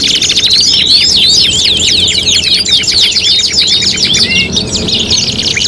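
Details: Canary competition tutoring material, five-in-one mix: loud, unbroken high trills with quick upward and downward chirp sweeps, ending with a short clear whistled note, over soft low background noise.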